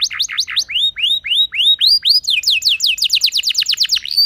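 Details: Canary singing as a lure to make other canaries sing, a string of clear curved whistles repeated about twice per second, quickening into rapid descending slurs and ending on a high steady note.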